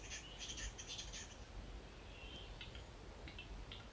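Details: A western capercaillie cock displaying at a lek in Finland at dawn, courting from a tree: a run of rasping, hissing scrapes, then a few dry clicks spaced under a second apart, over a steady low rumble of wind.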